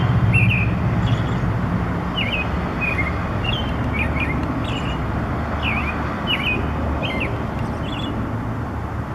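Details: Bird perched on a wire in the morning, singing a melody of short slurred whistles, each dipping then rising, repeated about every second over a steady roar of traffic noise.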